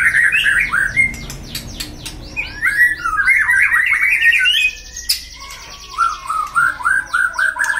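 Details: White-rumped shama; song; provoking rival males to anger and fighting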